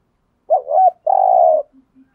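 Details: Decoy spotted dove calling to lure wild doves: one phrase of a brief wavering coo, then a longer, steady, burry low coo, followed by faint soft clicks.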